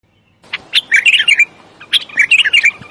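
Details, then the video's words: Bulbul song: two bright chattering phrases of quick warbled notes, the first starting after a short silence and the second following about a second later, with clean rising and falling whistles in between. "بلبل راقئ بلبل السورئ بلبل الصحرائی بلبل وحشئ"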